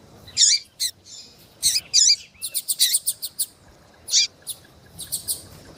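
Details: Female double-collared seedeater calling ardently to rouse a male; high, sharp chirps in quick irregular clusters, some rapidly repeated notes, then a louder isolated chirp.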